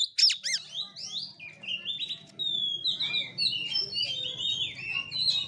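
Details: Kacer (oriental magpie-robin) in fighting-style play, kura-kura style: a few sharp chattering notes open into long, sliding whistled phrases rising and falling, over steady low background noise.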